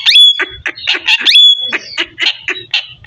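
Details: Loud, rapid parrot chatter: dense harsh syllables repeated in quick succession, broken by two thin, long, high whistles.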